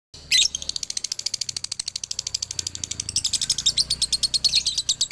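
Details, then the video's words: After a moment of silence a male Galendo Ciamis lovebird bursts into dobelan, a swift chatter of sharp high chirps that softens briefly, then swells into a dense, louder trill. "SUARA ASLI DOBELAN LOVEBIRD JANTAN"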